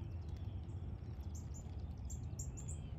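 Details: Chimney swifts swirling over fog at sunrise on a September morning give faint, high, rapid chittering twitters in short bursts over a steady low rumble of wind or distant traffic.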